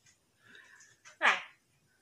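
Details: Pet common myna, a bird that flew into the home and is raised by the family, imitating human speech indoors; a short muffled murmur, then one loud rasping voice-like syllable, ending with a brief click.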